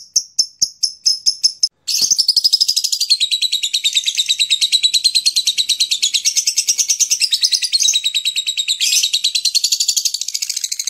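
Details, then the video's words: Lilian's lovebird giving ngekek, a long chattering song: a few sharp separate chirps open, then after a brief break a long, loud, continuous stream of rapid harsh chatter runs for about nine seconds without pause. "Lovebird Ngekek | 尼亚牡丹鹦鹉 | Lilian's Lovebird"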